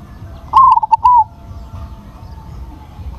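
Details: A single stuttering song phrase from a big-voiced crossbred zebra dove: a bright opening, two or three fast clipped notes and a long, gently dropping coo, followed by a faint steady hum.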